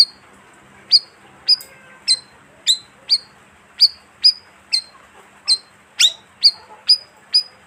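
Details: Bayeman bird call used as a lure for wild birds: sharp, high, downward-flicking chirps repeated at an uneven pace, about two a second, with a faint hum in the background.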